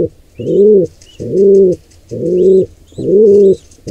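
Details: At a wild nest where an intruder pair attacks a squab, a pigeon gives four long, deep, swelling coos, each about half a second, evenly spaced, while faint high twitters rise in the background.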